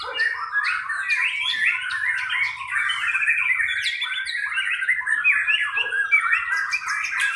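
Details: A white-rumped shama sings nonstop during a simulated 'pastol' class contest, a busy mix of sharp chips, trills and mimicked-sounding phrases in a fast, jumbled stream.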